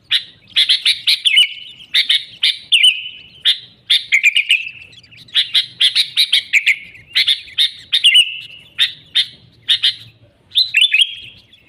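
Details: Sooty-headed bulbul song used as a lure for wild bulbuls; repeated short rough chirping bursts with slurred whistles, delivered in a steady choppy rhythm with brief gaps, faint low hum in background.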